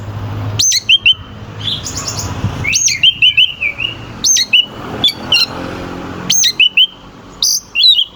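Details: Caged oriental magpie-robin song meant to stir rival birds; repeated phrases of a sharp high note dropping into a short flat whistle recur every second or so, over a low background rumble.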